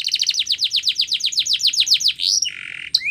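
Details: Spanish Timbrado canary song for training, built from a quick even series of descending notes about five per second, then a sustained buzzy tone and a sharp rising flourish.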